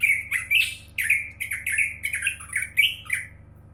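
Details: Champion greater green leafbird in a steady stream of loud, harsh, squawky phrases with quick rising and falling slurs, each note packed with buzzy overtones.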